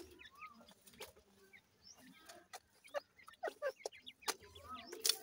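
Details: Grey francolin chicks feeding: scattered short, thin high chirps, some rising and some falling, mixed with sharp clicks and taps throughout.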